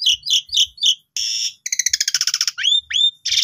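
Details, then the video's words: Young Asian pied starlings sing to draw song from other starlings: four repeated chirps, a hissing rasp, a rapid rattling series, two upslurred whistles, and a last rasp. "Pancingan Semua Jalak Suren Paud Agar Suara Jalak Suren Bagus Gacor Bongkar Isian"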